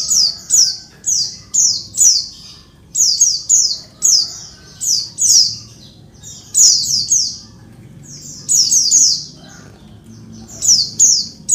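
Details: Continuous high chirping from a female Oriental white-eye meant to make males answer and sing: rapid descending notes in pairs and triplets, nearly unbroken over eleven seconds.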